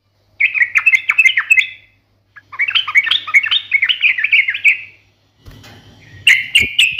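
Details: Yellow-vented bulbul (trucukan) singing in the sharp, combative 'ngalas tajam tarung' style. Two bursts of rapid, bubbly warbled notes, a short gap, then a further chattering burst, with a faint low hum underneath.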